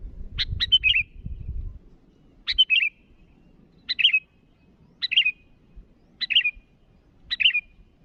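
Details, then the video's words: Sooty-headed bulbul calling to rivals: six short, bubbly whistled phrases, each a quick tumbling cluster of notes, repeated about every one to one and a half seconds, with low rumbling noise near the start. "Suara burung Kutilang Gacor memanggil lawan"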